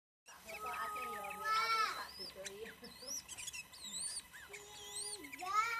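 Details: Yellow-vented bulbul song: varied liquid whistled phrases that swoop up and down, with bubbly rising notes and a bright whistle near the end, over a quiet background.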